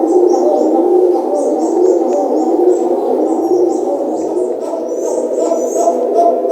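Arabian Trumpeter pigeons give a continuous low, rolling, bark-like cooing, with high chirps from small birds above.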